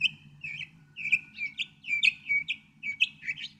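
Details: Northern mockingbird song: a similar downslurred whistled note repeated roughly once a second, mixed with sharper upward flicks, above a faint low hum.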